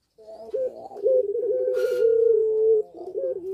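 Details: Caged puter pelung dove, in breeding condition, cooing eagerly: a few short notes, then a wavering note that settles into a long even coo before it drops off. A soft clipped note follows.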